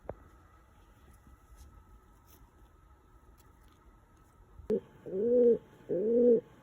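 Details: Quiet room with a faint steady hum and a click, then a house pigeon kept as a pet gives two clear, rounded, rising-and-falling coos about a second apart while attending to a person's feet.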